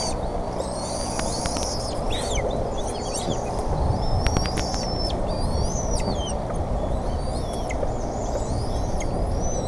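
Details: Decorah nest, 28 May 2014, bald eagles as a fish arrives: scattered high, thin whistles and squeals, some sliding upward, others dropping, partly masked by loud continuous low wind-like roar.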